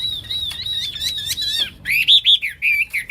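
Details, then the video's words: Hwamei in full song, called wambi locally: a long wavering whistle near one steady pitch, then a string of loud rich slurred notes rising and falling, each about a quarter second long. "Wambi / Hwamei Gacor"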